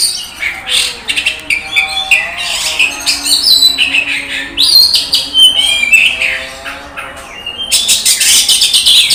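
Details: Oriental magpie-robin, a competition bird from Indonesia that took first place, in loud, varied song: rich whistles, buzzy bursts and sweeping notes, with a steady low hum.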